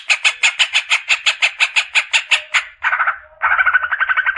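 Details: Greater green leafbird, a cage tutor bird, gives a string of harsh repeated chattering notes, then switches to lower, softer buzzy phrases for the last second and a half.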